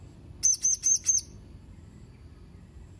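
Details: Serindit, the blue-crowned hanging parrot, 31 March 2021: one quick run of four piercing high tsit notes, then near silence apart from faint low background noise.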